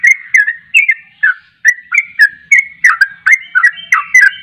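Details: Energetic song of a trucuk (yellow-vented bulbul): paired, clicky whistled notes, some rising and some falling, in quick bursts with one brief pause, with no other sounds present.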